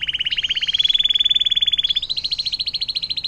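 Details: Canary in long water-fountain song, a tutor recording for songbirds like the green leafbird: a rapid, even high trill that climbs gently and then jumps to a slightly higher level after two seconds.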